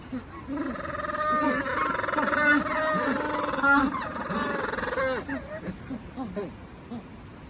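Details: Group of captive Magellanic penguins at a Japanese aquarium, Joetsu City Aquatic Museum Umigatari, becoming noisy after lounging: sustained braying chorus with pulsing harmonic notes for about five seconds, then scattered short gasping honks.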